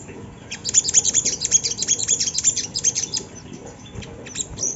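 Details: Sunda laughingthrush singing, used to coax untrained birds into voicing: a rapid run of thin, high, downward-slurred chips tumbling in quick succession, then tapering to scattered notes near the end.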